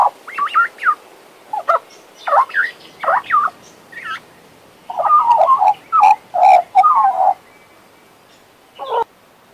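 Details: Male Western Australian magpie kept as a pet sings a varied warbling sequence. Short slurred, gurgling phrases come in quick bursts, followed by a denser run of rich fluted notes and one last brief phrase.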